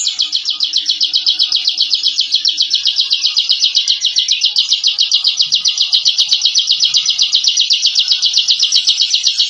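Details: Nearly ten seconds of nonstop 'ngebren' from a bar-winged prinia, a masteran for training captive birds; an intense, high, buzzy trill of fast even notes that never pauses.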